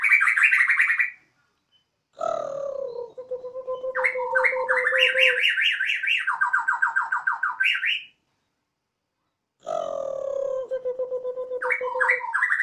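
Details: Pet White-rumped shama of the Borneo type, kept at home and singing energetically on a terrace. Song likened to a siren: long sustained tones that jump between low and high pitch, buzzy rattling trills and rising slurred phrases, with pauses between bursts.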